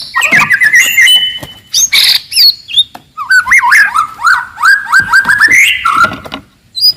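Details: White-rumped shama of the forest singing loudly and aggressively to provoke rivals: mixed whistles and harsh notes, then a long run of rhythmic looping whistled phrases, about two per second.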